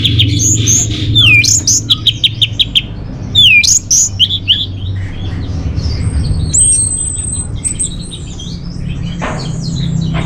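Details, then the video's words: Orange-headed thrush song for luring and tutoring songbirds: energetic bursts of descending whistles and rapid staccato chirps in the first half, then softer scattered high notes and a thin sustained whistle over background hum. "Bikin Geger ANIS MERAH Dirumah Pasti Gacor || Pancingan sekaligus Masteran Burung Punglor"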